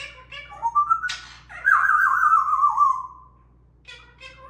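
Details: Three parrots in a cute squawking argument: short chirps build into a rising whistle and a harsh burst, then a long, loud, buzzy call that slowly falls, ending with soft clipped notes.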